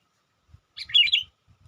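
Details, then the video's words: Sooty-headed bulbul lure call used to attract wild bulbuls: one short burst of bubbly, warbled chirps, loud and clear, with faint low thumps underneath. "suara burung KUTILANG PIKAT gacor/PIKAT KUTILANG memanggil kutilang liar"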